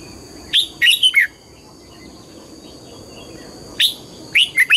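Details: Red-whiskered bulbul morning song in the double-note wild style: two bright phrases, each a rapid series of four whistled, up-and-down notes, separated by a quiet gap of about two and a half seconds.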